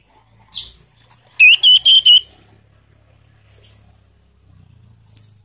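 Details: Young caged sirtu whose song is played to stimulate caged birds to sing: one short, fast whistled trill of four pulsed notes, with faint chirps before it and a low hum underneath.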